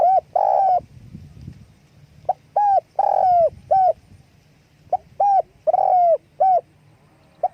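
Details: Spotted dove calling with wing flapping, repeating its cooing phrase about three times: soft grace note, short hoot, long slurred coo, short coo, each phrase a few seconds apart in a quiet setting.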